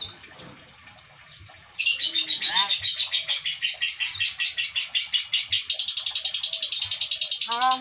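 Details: A young Nias hill myna (Gracula robusta), just starting to learn to talk and very chatty, gives a fast, high, buzzy chatter of about two to three notes a second, broken by a few clear falling whistles.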